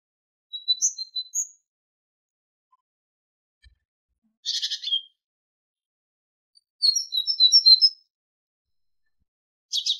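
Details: Tit singing on a goldfinch training tape: short bursts of high paired notes separated by silences, with a harsh buzzy chatter in the middle and another at the end.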